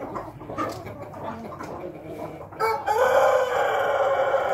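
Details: Pelung rooster gives a long, drawn-out crow: after a few seconds of mixed clucking, a loud, steady, sustained tone holds level for nearly two seconds without breaking.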